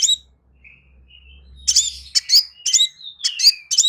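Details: Crimson sunbird song: faint thin whistles first, then loud rapid high chirps and long descending whistled slurs; a low steady hum runs underneath in the first half.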